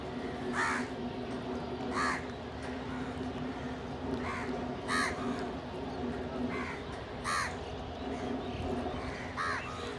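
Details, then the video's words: Crows gathered at food beside a pigeon call with strong, hoarse caws repeated roughly every one to two seconds over a low, steady drone. "Crow ki awaz naturally"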